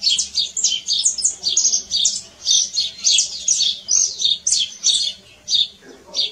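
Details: Canary singing in nature: a fast, continuous run of high chirps, trills and short whistled notes in rapid bursts, with a faint low hum underneath.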